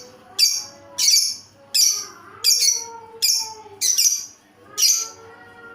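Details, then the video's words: Lovebird with an unusual voice, repeating harsh, high, shrill chirps about every 0.7 seconds. Soft gliding tonal sounds run quietly in the background. "Lovebird dengan suara aneh"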